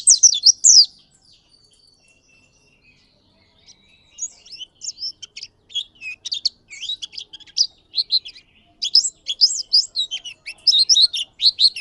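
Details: Oriental white-eye (pleci ngalas) in a lively, long rolling song, used as a tutor recording: rapid high twittering and warbled chirps, a strong burst, a near-silent pause of about three seconds, then dense, continuous chattering phrases.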